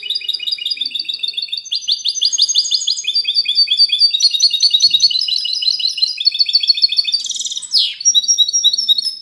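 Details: Clean song of a hybrid goldfinch, recorded 19 March 2020: continuous rapid twittering made of repeated chirps and liquid trills, steady and unbroken, with a brief rasping burst near the end.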